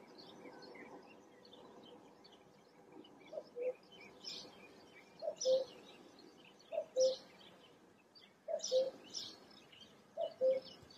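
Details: Forest birds singing: a low, hollow hooting note repeated roughly every one and a half seconds, while high thin chirps and twitters from other birds sound above, over a soft hum.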